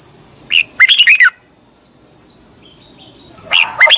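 Red-whiskered bulbul giving two bursts of rich, liquid, warbled whistles, four quick notes then a pause and another phrase, over a faint steady high tone.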